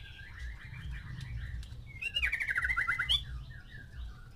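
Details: White-rumped shama, a male kept with six females to arouse mating, gives a loud buzzy trilled phrase midway after soft scattered whistles, over steady low rumbling background noise.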